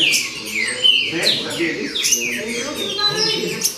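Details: Trinca-ferro (green-winged saltator), baderna style: a short burst of loud falling whistles and sharp high slurs, closely spaced, above a faint low rumble.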